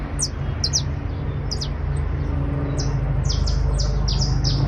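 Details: Criollo basto canary singing a trill: brief clusters of high slurred notes with gaps between, over a strong low hum that grows louder.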